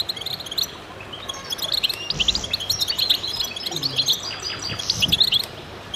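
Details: Several goldfinches in concert, high rapid twittering and chirped trills overlapping, slightly quieter start then busier liquid notes, with a brief low thud and soft rumble in the middle.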